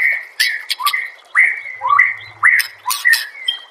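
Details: White-rumped shama song used as a master recording for training songbirds: clear whistled notes near one steady pitch, broken by sharp upward-sweeping slurs and brief harsh bursts, repeated roughly twice per second.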